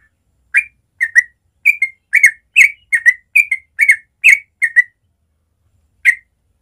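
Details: Morning ropel song of a sooty-headed bulbul (trucukan): a quick run of rich, liquid whistled notes, often paired, repeated about twice a second, then a pause and one last note; clean, quiet background.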